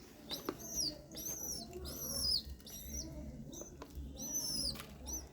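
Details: Pigeon chick being fed by a parent through regurgitation: high, thin squeaky whistles that arch up and down, given in quick repeated bursts, with faint low background hum.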